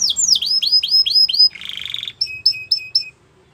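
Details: Belgian canary song with repeated high descending whistles, a short harsh buzzy roll, then clipped bright notes spaced evenly before silence.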